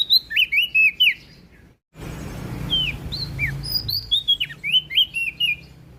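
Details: Prinia from West Nusa Tenggara singing in lively 'gacor ngeplong' style: bright slurred whistled notes, rising and falling, delivered in quick bursts, broken by a short silent gap before more whistles resume.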